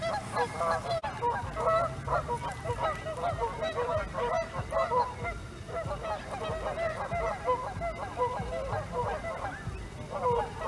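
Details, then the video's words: Canada geese at Hawreluk Park Lake honk together in a dense chorus of harsh, nasal notes running the whole length, with a brief pause in the middle. "Canada Geese at Hawreluk Park Lake"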